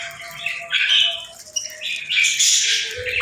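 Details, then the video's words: Chirping from playful birds: two bursts of busy, high warbled twitters split by a brief lull, with faint lower tones running beneath. "Relaxing Chirping Sounds"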